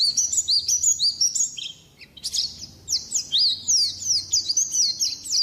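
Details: White-eye song for tutoring songbirds so they open up and sing fast: dense high twittering, then after a short gap a stream of quick downslurred whistled notes repeated about three per second, bright and thin throughout.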